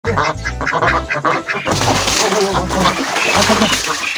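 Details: Ducks swimming in a pond and being fed give harsh, nasal quacks in quick bursts that crowd together after the first second and a half, over steady background music and a person talking.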